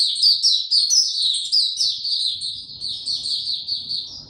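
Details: Kept white-eye singing on 29 April 2022 without health supplements: a fast, continuous stream of high, sweet chirps and slurred twitters, with a soft rumble of background noise entering later.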